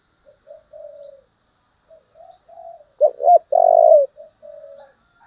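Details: Spotted dove singing in the very strong 'giọng thổ' style, offered as a model voice for training decoy birds. Soft low coos lead into a loud stuttering double note and a long, full, throaty coo, then softer trailing coos.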